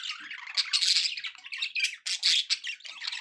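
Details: Pet budgerigars giving happy chatter: loud, nearly unbroken stream of raspy warbles, squeaks and whistled chirps with only a momentary pause midway.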